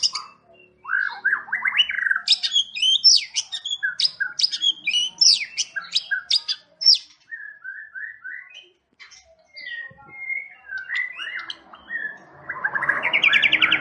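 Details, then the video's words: Champion competition white-rumped shama in full, varied song: fast tumbling phrases of rich whistles and sharp high notes, then slower paired slurred whistles, ending in a harsh, buzzy rising burst. "Kumpulan Tembakan Murai Batu juara"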